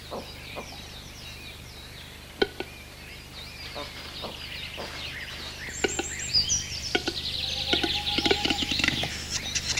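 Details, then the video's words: A western capercaillie displays during the mating season in the Orobie Valtellinesi park, Italy: sharp, dry, irregular clicks that quicken into a scratchy, hissing whetting phrase, with faint small-bird chirps and a low hum behind. "TETRAONIDI IN AMORE: IL GALLO CEDRONE"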